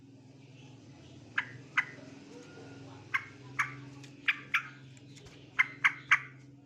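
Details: Male sooty-headed bulbul calling with sharp, clipped chirps in loose pairs and triplets over a steady low droning hum.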